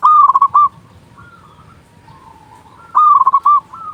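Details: Local zebra dove song played to lure and rouse other doves. A loud rapid series of throaty cooing notes opens and returns after three seconds, with fainter doves cooing in between.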